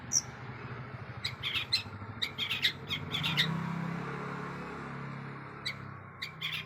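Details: Long-tailed shrike kept as a songbird, singing a varied, mimicry-rich song: scattered harsh chirps and short buzzy bursts in the first half, a pause, then more chattering notes near the end over low background hum.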